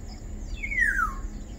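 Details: Black-naped oriole (Oriolus chinensis): one drawn-out, slightly nasal note that slides steadily downward over about half a second, standing alone above a low, steady background rumble.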